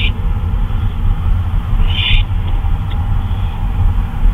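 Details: Owl calling during a flyabout in the early hours, 2:39 AM on 26 May 2013: a short harsh burst at the start, then a louder raspy one near the middle, over continuous low droning noise.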